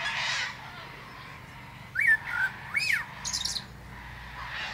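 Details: Common blackbird, a male, singing from the top of a plum tree; two clear fluted, arching whistles a second apart, followed by a thin high twittering flourish, with soft distant birdsong behind.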